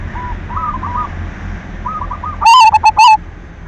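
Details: Zebra dove of the silver type singing energetically to coax other doves into song: after faint distant coos, one loud ringing phrase near the end of a rolled opening note and a couple of sharp clipped notes.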